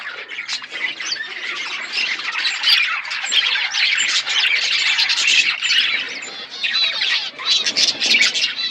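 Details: Colony of budgerigars chirping, a loud, unbroken chorus of buzzy warbles and squawks from many birds at once, dipping briefly about three quarters through.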